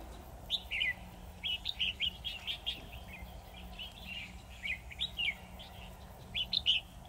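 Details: Decoy red-whiskered bulbul singing from a trap, pouring out clusters of lively whistled, warbling notes in bursts of two to four, with short pauses between phrases.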